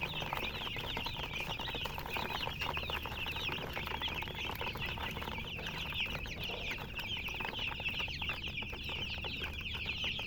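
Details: Baby chicks in a large group produce a blurred wall of thin, high peeps, steady throughout with no breaks.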